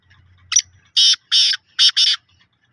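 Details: Black francolin (kala titar) calling: a short rhythmic phrase of harsh, grating notes, with one brief note, then two longer rasping ones, then a closely paired final couplet, over a quiet background with a faint low hum.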